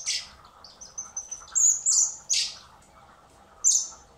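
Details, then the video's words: Hand-fed common blackbird nestlings at a rescue centre in spring give insistent high squeals and thin whistled notes in a rising, excited run, with a background hum. "Cebando a los polluelos de mirlo común (Turdus merula)"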